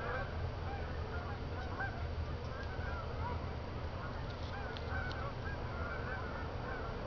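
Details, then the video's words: Geese flying after dark from a field toward Jourdan Lake, Lake Odessa, Michigan; thin, somewhat distant honks come through a strong low-pitched background roar, with a few brief clicks. "Geese at night"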